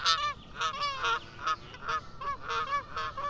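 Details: Goose giving a steady series of loud nasal honks, about two per second, each with a slightly falling tone.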